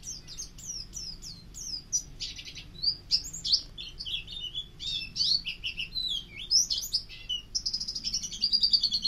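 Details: White-eye; song; used as a tutor song for other birds to learn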